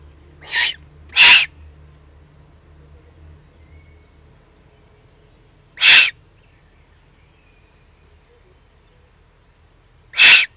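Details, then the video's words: Agitated young Eurasian eagle-owls recorded in the Eifel on 21 June 2020, giving four hoarse hissing shrieks: a softer one quickly followed by a louder one, then two more at intervals of about four to five seconds, with faint low rumble. "Eifel Uhu, 2020-06-21, aufgeregte Junguhus"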